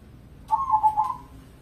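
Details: Perkutut crossing, a crossbred zebra dove kept as a competition songbird, giving a lure song meant to prompt others: one short, soft, rolling coo of several quick linked notes, steady and mid-pitched, over quiet background hum.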